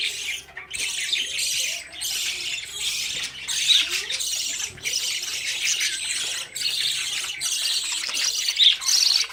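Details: Budgerigar chicks, old enough to leave the nest, running after their parents for food; dense, continuous harsh squawking chatter with scratchy chirps, rising and falling in loudness with brief pauses.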